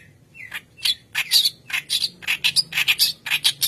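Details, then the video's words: Energetic white-browed kerak basi chattering as a lure for training young birds: a steady stream of scratchy, buzzy notes, nearly two per second, mixed with brief bright whistles. "Keras Basi Alis Putih Gacor Pancingan Bahan"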